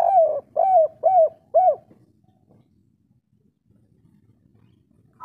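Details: Spotted dove of a local Indonesian strain, 'kuk 3' style call meant to stir breeding drive in other doves: four strong, rounded coos evenly spaced about half a second apart, followed by quiet and a faint higher note at the close.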